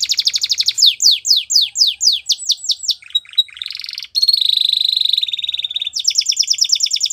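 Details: Spanish Timbrado canary training song with a run of downward-slurred notes, a brief buzzy rattle, a long smooth rolling trill and a renewed fast trill at the close.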